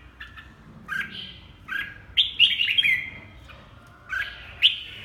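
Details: Caged Hue-type red-whiskered bulbul singing: scattered chirpy phrases, then a denser tumbling run of slurred notes around the three-second mark, followed by a pause and a final rising flourish.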